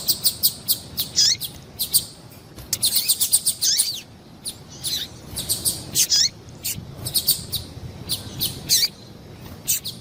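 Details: Call of a female double-collared seedeater, meant to excite males: rapid high-pitched chirps in irregular clusters, some notes sliding steeply downward, with a brief dense burst near the middle.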